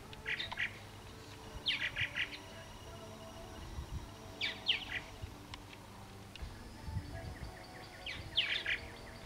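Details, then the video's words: Purple martin flock at a nest site, back after a three-year absence, giving short gurgling, chirpy bursts in clusters roughly every two to four seconds over a low steady hum and faint background noise. "Purple martins"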